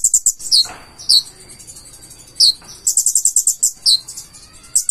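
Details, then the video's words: Konin, the Purple-throated sunbird, in full 'gacor isian' song: thin, very high notes alternating with sharp downslurred chips and quick bursts of rapid ticking trills, delivered in uneven spurts over a quiet background. "KONIN GACOR FULL ISIAN"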